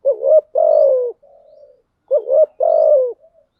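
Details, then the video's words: Spotted dove lure calls, a female decoy used to stir wild doves into answering: two low cooing phrases, each a quick double note and a drawn-out descending coo, a faint soft murmur between them, otherwise quiet. "Tiếng chim cu gáy mồi giọng lôi cuốn hấp dẫn đủ bài[ THÚC GÙ , GÁY GỌI ] dùng kich bổi nhanh nổi"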